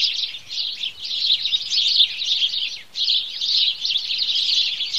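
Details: Sparrows bathing in water and in dust, a flock giving a dense, continuous chatter of high chirps with brief pauses.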